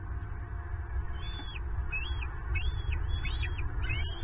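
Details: Wild bald eagles at a Southwest Florida nest, picked up by the nest camera as an intruder steals a turtle breakfast meant for two eaglets; thin whistled notes arch up and down in an irregular series over steady low rumble.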